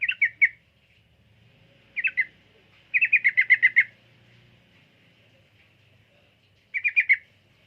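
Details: Sooty-headed bulbul song: short bursts of quick, bright chattering notes, first three or four, then a run of about eight in a second, with pauses of one to three seconds between bursts, over a faint low hum.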